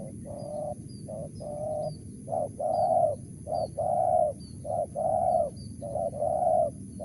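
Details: Repeated low coos from a wild spotted dove of 'mersik' voice type, each short note paired with a longer, slightly swelling hollow coo, about six pairs in quick regular succession.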